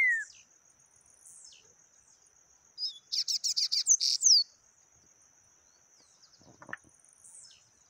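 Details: Yellow-bellied seedeater, taquara rachada song type: a quick burst of about eight rapid, harsh high notes ending in a falling whistle, scattered soft notes before and after, over a constant faint high-pitched background tone.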